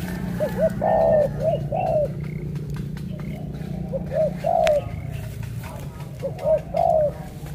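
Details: Spotted dove cooing in Cà Mau, Vietnam. Three separate phrases of short and longer hollow coo notes come about two seconds apart, with faint voices and a constant low droning hum in the background.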